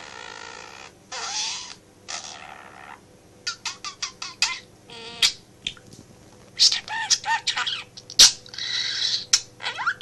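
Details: Pet male budgerigar kept at home, chattering in a home office while its owner works, mimicking phrases; dense run of high buzzy warbles, clicks and whistled notes, bursts separated by short pauses, steady low hum behind.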